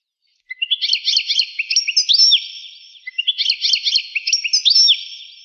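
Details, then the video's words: European goldfinch singing, a rare recording said to date from 1985: two bursts of quick, tinkling twittered notes with rising and falling slurs, bright and high, separated by a brief pause; nothing else audible. "تغريد طائر الحسون ناذر يعود إلى 1985"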